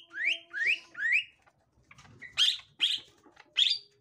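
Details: Green leafbird of the gotri type reacting to a young wild green leafbird: three rising swept whistles, followed by four louder sharp chip notes spaced about half a second apart.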